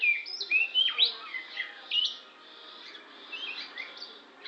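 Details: Oriental magpie-robin of the Lampung type singing: a lively run of whistled, sliding notes and quick chirps, some rising and some falling, delivered in rapid bursts with brief pauses between phrases.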